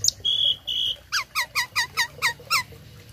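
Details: Tame starling with filled-in song, used to tutor other birds: two level whistles, then about eight loud downslurred notes repeated roughly every quarter second, over a low steady hum.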